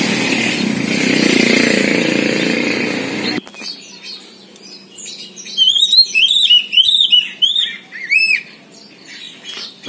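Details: First a loud rumble of engine and background noise. Then, after a sudden quiet, a poci magpie-robin breaks into bursts of quick, high, sliding whistled phrases separated by short gaps.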